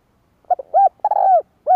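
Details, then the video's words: Spotted dove giving a kích bổi lure-style call: two short soft notes, a swelling arched coo, then a long drawn-out, slightly falling coo. Clean recording with no other sounds. "Tiếng chim cu gáy kích bổi nhanh nổi 2023"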